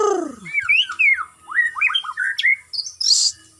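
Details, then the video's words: Captive white-rumped shama kept in routine aviary exercise for stamina, delivering a rich run of sliding whistles, rising and falling notes in quick succession, ending with a high hissing burst. "Perbaikan Setamina Muraibatu dengan pengumbaran rutin"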